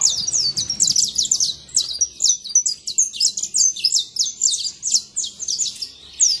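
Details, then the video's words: Wild saffron finch singing a dense, lively stream of high chirps and twittering slurs, the background otherwise almost silent. "Canário da terra livre na natureza"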